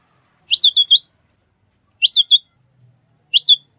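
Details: Sooty-headed bulbul lure call for trapping and training: three clusters of sharp, upslurred whistled chirps, four then three then two notes, roughly every one and a half seconds.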